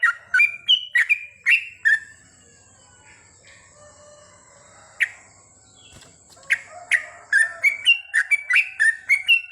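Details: Night-time singing of a sooty-headed bulbul, the goklik song style: bursts of rapid, liquid whistled notes, rising and falling, separated by a quiet stretch of about four seconds before the chattering phrases resume and speed up.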